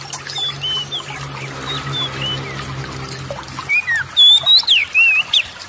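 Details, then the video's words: Magpie-robin song as a lure for quiet kacer: mostly low hum and faint distant notes at first, then a loud final burst of sharp, winding whistled phrases near the end. "TERAPI PANCINGAN SEMUA JENIS KACER AGAR CEPAT GACOR, ,YANG MALAS BUNYI LANGSUNG GACOR"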